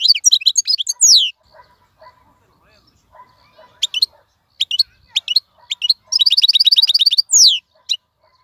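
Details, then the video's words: Caged wild-caught European goldfinch singing nonstop with a clean voice: tumbling twitters, scattered sharp chirps, then a rapid buzzy trill of evenly repeated notes ending in a falling slur. A faint low hum sits underneath. "مقنين خلوي يغرد بصوته النظيف, تغريد حسون بري دون توقف"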